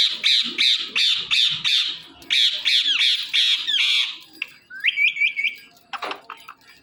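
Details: Indian ringneck parakeet kept as a pet, calling in a fast series of harsh, high squawks about three a second, then a short burst of quick chirps and a few clicks near the end.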